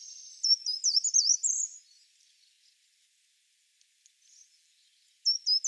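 Short-toed treecreeper singing one short, very high, thin phrase of quick jumpy notes. A second phrase begins at the end against a quiet background.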